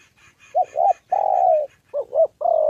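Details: Spotted dove used as a decoy in Gia Lai, Vietnam, facing a wild bird and a female during the 2 September holiday: low hollow coos, two quick notes, then a long drawn coo, with faint higher chatter above.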